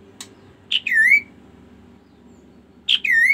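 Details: Kaso-kaso bird in song: two loud phrases, each a short sharp note followed by a clear whistled note sliding down then gently rising, with faint overtones, about two seconds apart over a quiet low hum.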